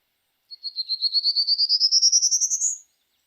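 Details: Prairie Warbler song, a common Kentucky spring-migrant warbler: a quick, buzzy series of about seventeen short, thin notes climbing steadily in pitch over two seconds without stops. Nothing else is heard.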